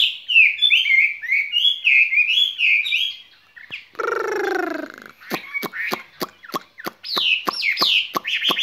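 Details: Skylark kept in a cage gives its spring song: quick, tumbling chirps, then a brief lower, harmonic, wavering sound, followed by crisp rapid clicks and looping high whistled notes.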